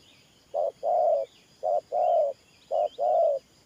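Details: Spotted dove used as a ground-trapping decoy, cooing in the 'thổ pha nước' style, three short-then-long coo pairs about a second apart, with thin twittering birds faintly in the background.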